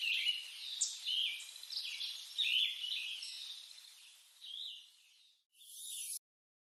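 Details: High chirping calls of a lettered aracari, a toucan relative: quick, uneven series of short squeaky notes, fading out before a brief hiss of noise at the end.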